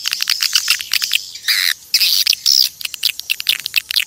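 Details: Swiftlet calls recorded in nature to attract the birds: rapid high clicks broken by louder buzzy, squealing twitters in the middle, then a return to quick chatter.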